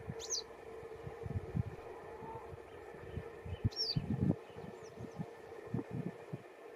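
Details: A western yellow wagtail asking for attention gives two thin, high, downslurred 'tsweep' calls about three seconds apart, over steady low rumbling wind and handling noise.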